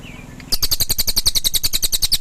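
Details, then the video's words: Pygmy tit (cililin) bursting into a quick, steady series of high, rasping chip notes, roughly eight per second, after a faint soft whistle. "Suara Cililin"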